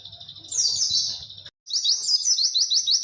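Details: White-eye in the long, clear 'witwit' style meant for tutoring other birds: a high, fast run of repeated slurred notes that breaks off briefly midway, then resumes; faint low hum at the start.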